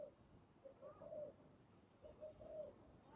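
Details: Spotted dove used as a trapping decoy, soft quick coos in two brief phrases, the later notes longer and slightly drawn out, in a quiet setting.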